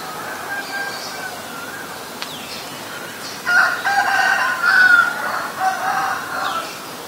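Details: Asian koel, male and female shown; after a quiet start a rapid burst of harsh, repeated notes runs for about three seconds, roughly four per second, against steady background noise.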